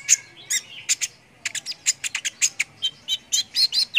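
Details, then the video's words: Lively konin (brown-throated sunbird) song for training competition birds: rapid high chips and squeaky notes in quick succession after a brief gap, ending in bright short whistled phrases. "MASTERAN BURCIL AMPUH UNTUK BURUNG LOMBA BIKIN EMOSI || KONIN GACOR"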